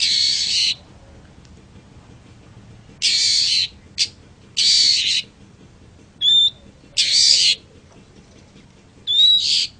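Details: Long-tailed shrike song used as a training recording for other birds: harsh, rasping broadband bursts of under a second, several spaced about three seconds apart, with short bright whistled notes slipped between them.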